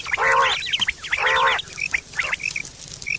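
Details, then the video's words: Quail, September 2023, calling for hunting and mating: two long, harsh, gargling bursts, then a run of quick high chirps and whistled notes. "Quail fresh sound sep 2023/ batair ki awaz"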